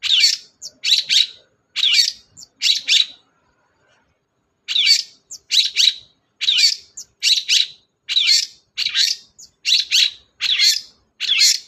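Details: Long-tailed shrike song meant to coax a silent bird: loud harsh chattering notes in pairs and clusters, a brief silence near four seconds, then a steady run of rasping bursts.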